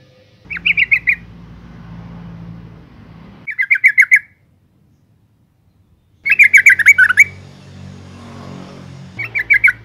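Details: Yellow-vented bulbul female, calling to stimulate males, delivers four bursts of fast bubbling chatter, one long and rich, separated by stretches of low rumbling background noise and a brief silence.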